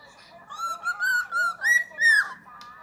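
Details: Closing line of Happy Birthday whistled by a cockatiel: five sustained, clear notes in a steady sequence, the last two pitched higher, ending with a soft fade in a quiet room.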